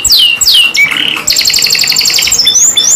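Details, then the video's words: Canary singing ngerol nembak: two long descending whistles and a lower warble give way to a dense high rolled trill, then thin rising whistles at the end. "KENARI GACOR NGEROL NEMBAK | CANARY SINGING"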